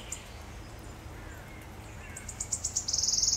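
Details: Wood warbler (Phylloscopus sibilatrix) singing in Djurgården, Stockholm, on 5 June 2021: a high series of ticking notes that quickly speed up into a dry, shivering trill, over soft background hiss.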